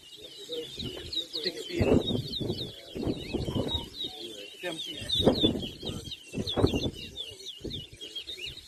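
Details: Towa towa songbird in a singing competition at Anna Regina park, Essequibo, Guyana, 2023; rapid high twittering warble runs continuously over loud crowd talk and low thumping bursts of voices.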